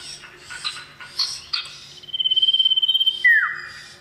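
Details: Male common iora calling a female: scattered chirps, then a long rapid trilled whistle on one steady high pitch ending in a loud note that drops sharply downward.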